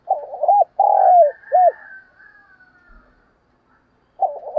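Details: Spotted dove used as a decoy bird, calling to draw wild doves: low cooing phrase of a stuttering note, a long drawn coo and a short final coo, then the phrase starts again.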